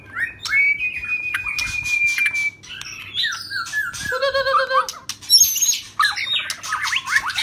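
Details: Shrimp-tail white-rumped shama song, rít thuốc lào style: opens with a long level whistle held about two seconds, then jumbled chattering phrases, a rippling lower trill and bright high twittering notes, with a steady low background hum.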